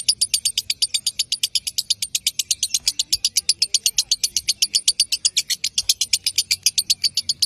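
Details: Lovebird master sound meant to provoke rivals into ngekek singing: a fast, even run of sharp high chirps, about four to six per second, continuing steadily for the whole stretch with no other sounds.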